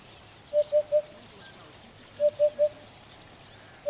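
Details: Eurasian hoopoe giving soft, low, hollow hoots in triplets, 'hoo-hoo-hoo', evenly spaced. Two full sets come about 1.7 seconds apart, and a third begins at the end. Faint high chirps from other birds sound in the background.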